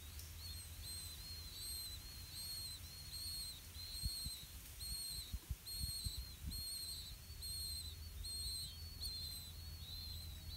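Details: Five 4-day-old Blue-winged Pitta chicks begging for food in the nest, fed earthworms by a parent: thin, high squeaky notes about twice a second without pause, with a low rumble and a few soft thumps midway.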